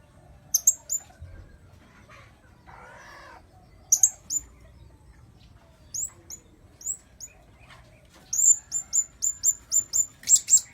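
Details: Blue-crowned hanging parrot lure sound: scattered sharp, very high tsit notes, then a rapid run of about ten evenly spaced shrill chirps near the end, with a brief soft rustle early on.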